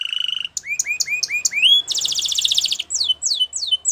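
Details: Singing canary: a buzzy trill, then five rising whistled slurs about a quarter second apart. A loud rattling roll follows, then slower descending whistles.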